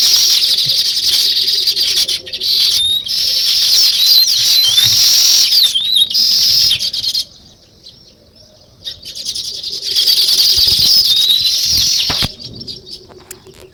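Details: Sparrows and weaver birds calling together in high, busy chatter with some slurred whistled notes, interrupted by two short quiet gaps before the chorus picks up again.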